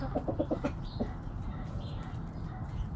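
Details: Backyard hens clucking: a quick run of five or six short, throaty clucks in the first second, then quiet with a low rumbling background and faint chirps of small birds.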